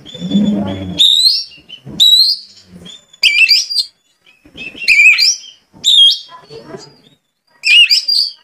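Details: Oriental magpie-robin singing, played to coax magpie-robins into full song: a low murmur at the start, then repeated bursts of high, sweet whistles mixed with rapid, scratchy warbles, separated by short pauses.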